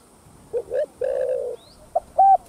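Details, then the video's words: Spotted dove cooing in the full 'thúc gù' style, used to stir up caged decoy doves: a few short, soft, low coos, then a longer hollow note, a pause, and two brief clipped coos. "Tiếng Cu Gáy Giọng Hấp Dẫn[ ĐỦ BÀI THÚC GÙ ĐỈNH CAO 02] Kích Bổi Nhanh Nổi"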